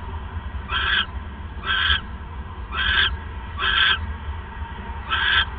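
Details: ['Owl at night, 28 December 2014 at 9:42 PM, as the male brings a third mouse; five harsh, hissing screeches, each about a third of a second, repeated roughly once a second over a steady low hum.']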